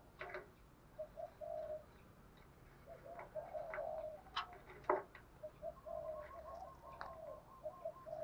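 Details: Lure spotted dove urged to fight, calling to bring wild doves in: a run of hollow, even-pitched coos in short groups, broken by loud sharp knocks and clicks.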